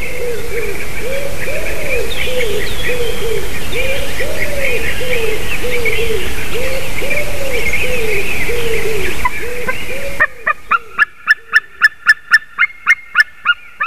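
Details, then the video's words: White-tailed eagle recorded at 06:26 on 28 March 2019; a long regular run of yelping notes over constant noise, then a sharp change to rapid clicking pulses near the end. "Jūras ērglis Haliaeetus albicilla"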